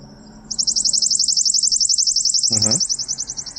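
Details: Worm-eating warbler (Helmitheros vermivorum) song played back from a device while searching for a breeding bird in Allegan State Game Area, Michigan: a long, dry, high trill of rapid, even, insect-like notes. A person speaks briefly near the end.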